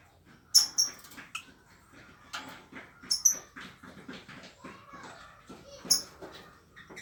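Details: Young lovebird, two months old, practising its trill: squeaky, uneven chattering and short twittery notes, with a few very high sharp squeaks at intervals.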